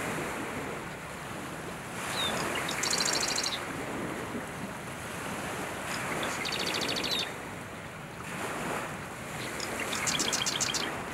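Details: Small male Marsh Wren singing persistently from tall cattails in Southern Ontario, Canada, on a July morning around dawn, summer 2020; three high, rapid, rattling trills spaced a few seconds apart, each opened by a brief sharp note, under constant rushing wind.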